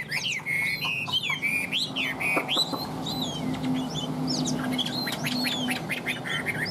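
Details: A large-bodied Chinese hwamei, moulting yet still singing strongly, gives loud, rich, varied whistled phrases that slur up and down in quick bursts over a low background hum.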